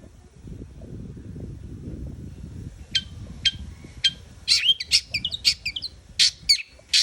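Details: Long-tailed shrike singing: after about three seconds of low background rumble, sharp high chips come every half second, then a rapid run of clipped, scratchy notes and bursts to the end.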